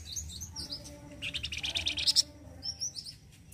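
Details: Flamboyan bird with loud 'gacor kasar' singing of the kind sought as a training master: a fast run of sharp high notes lasting about a second, with thin high whistles before and after, over low background hum.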